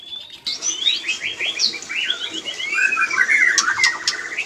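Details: White-rumped shama breeding-stimulation sound: fast rippling run of whistled and trilled notes sliding up and down, over a steady background hiss.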